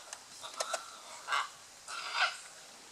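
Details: Scarlet macaw courtship at Playa Blanca on Costa Rica's Osa Peninsula, La Palma: a few short clipped notes, then two longer harsh, rasping squawks about half a second apart.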